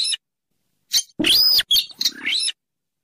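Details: Rail, local names sintaran sawah, weris, mandar dengkur, a Rallidae of swamps by rivers or lakes, played as a trapping lure: a brief rasp, then a loud screeching arched squeal followed by a grating, descending raspy phrase.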